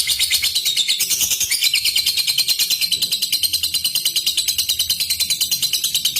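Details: Lovebird giving a long ngekek chatter, used as a lure that calls a rival and sets silent lovebirds singing: a rapid, high, buzzy run of notes repeated about three times a second, steady and unbroken throughout.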